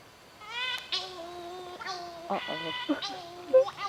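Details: Cory's shearwaters heard at night in forest on São Miguel, Azores, wail in nasal, bleating cries, several overlapping in rising and falling sobs over about four seconds, with faint human voices in the background.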